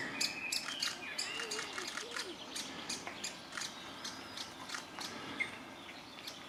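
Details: Great spotted woodpecker chicks in a nest cavity, being fed insects by their parent pair, keep up a shrill, rapid chatter of high squeaky chirps, about three a second, with faint outdoor background noise.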